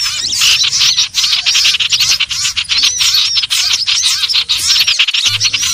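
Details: Iora lure recording meant for trapping: an unbroken stream of high, rapid chirps and twittering whistles, many birds seemingly calling at once, fading briefly near five seconds.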